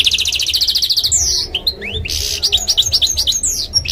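A canary-goldfinch mule sings a fast, varied song of rapid trills and sweet rising and falling whistles.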